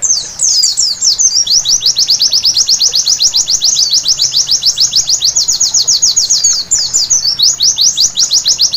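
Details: White-eye at night delivering a long, brisk trill of piercing high notes, densely packed and even, briefly breaking into a jumbled twitter before resuming the steady rapid rhythm.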